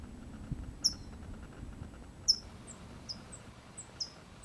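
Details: California towhee newborn fledgling, just out of the nest and guided by its parents, giving a loose series of thin, high-pitched chips, about six in four seconds at uneven spacing, with faint low rumble behind.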